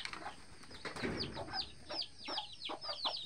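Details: Mother hen with eleven free-range baby chicks; after a soft flutter, a series of sharp, high, downward-sweeping peeps repeats roughly three times a second, with faint lower clucks.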